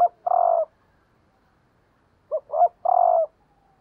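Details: Spotted dove hen, a decoy bird, cooing to attract and excite males; the drawn final coo of one phrase, a pause, then a full phrase of two quick notes and a long steady coo.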